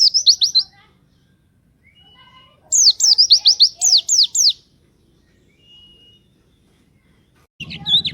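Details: Pleci singing to lure other pleci birds, bursts of fast, high, sharply slurred chirps, a short burst then a longer run of about a dozen notes, separated by quiet gaps, with a faint thin whistle between.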